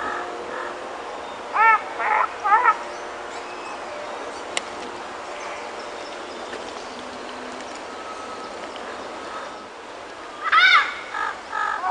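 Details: A wild pair of Panama amazons, Amazona ochrocephala panamensis, in Panama, answering a person calling to them: a few short harsh arched squawks with ringing overtones near the start, then a long gap before another brief burst, over steady background hiss.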